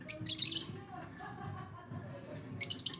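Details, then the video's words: African lovebirds: a harsh burst of high chirps at the start and another fast chattering run at the end, with a muffled murmur filling the middle. "AFRICAN LOVEBIRDS CHIRPING SOUNDS"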